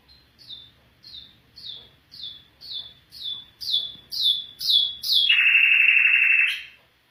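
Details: Afghan bulbul singing: a string of short falling chirps repeated roughly every half second, rising in loudness, ending in a long, harsh buzzing note of more than a second.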